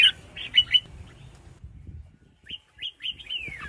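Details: Female red-whiskered bulbul calling, used by keepers to stir caged males into singing, Vietnam; short bright chirps in a quick cluster, a pause, then rising whistled notes ending in a falling slurred phrase.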